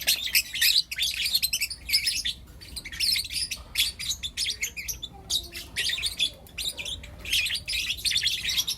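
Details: Shrill, buzzy chirps from four young lutino lovebirds in the morning, in dense bursts with brief gaps, plus a faint low squeak midway.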